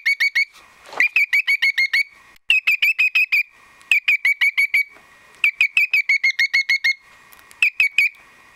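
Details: A cockatiel on top of its cage, excited, gives rapid bursts of shrill, whistled chirps, eight to ten notes per burst with short pauses between; a soft thump sounds near the start. April 2010.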